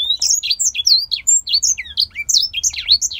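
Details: Caged male grey singer finch, bred in Poland, pours out a rapid run of sweet whistled notes, downslurs and quick upsweeps packed closely together, several notes per second, over a quiet room.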